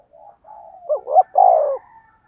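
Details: Spotted dove giving a 'thúc gù' coo used to lure wild doves: soft low lead-in notes, then two quick rising hoots and a long, loud descending coo, all low and mellow.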